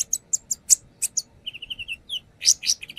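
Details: Brown-throated sunbird singing as a lure while displaying its repertoire: sharp high chirps, a quick series of six lower level whistled notes, then loud rasping chips, over a faint background hum.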